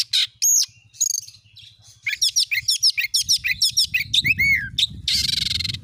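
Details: Oriental magpie-robin (kacer) singing as a lure to start a kept bird singing: long held whistles, then a rapid run of bright repeated notes, curved slurs, and a closing harsh buzz over a low rumble.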